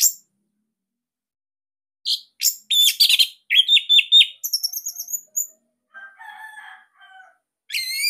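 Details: A caged Bali orange-headed thrush delivers a loud, unique song meant to prompt other birds to sing: mixed harsh chips and high trilled whistles, then soft lower warbling and a final rising whistle.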